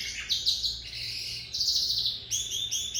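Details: Loud, rich lizard canary song: rapid warbling and buzzy rolled notes at high pitch, continuous for three seconds with brief breaks, a faint hum underneath.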